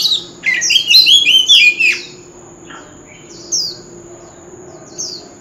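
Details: Male Oriental magpie-robin, wild-style voice, contest fighting song: a loud run of rich fluting whistles and warbles lasting about two seconds, followed by quieter spaced single whistled notes and a constant thin high whine.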